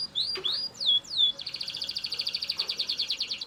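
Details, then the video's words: Loud Belgian canary singing: a few swooping slurred whistles, then an even, fast trill repeated around three times per second. "Super Loud Belgian Canary Singing"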